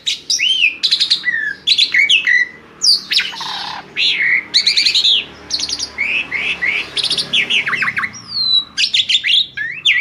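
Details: Asian pied starling singing to lure other birds into singing vigorously: a busy run of whistled upslurs, rapid stacked clicks and harsh chattering notes, packed almost without pause over ten seconds, with a faint low hum underneath.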